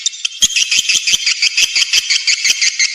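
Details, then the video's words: Swiftlet lure call played to draw the birds into nesting: a dense, high, rattling chatter of many overlapping twitters, pulsing in quick irregular bursts of about three per second, with sharp clicks underneath. "Suara panggil walet menggemma"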